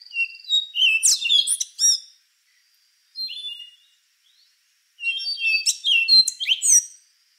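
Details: Rufous-brown solitaire, an endangered thrush, singing: complex phrases about two seconds long opening with clear whistled notes, then rapid high tumbling twitters and metallic trills, repeated after short pauses in a quiet background.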